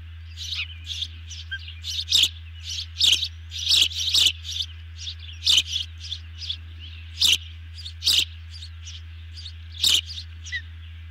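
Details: Ospreys calling on the nest as a big dinner is brought in; a long run of high, insistent chirps, roughly one every half second with uneven spacing, sharp taps among them, low hum throughout.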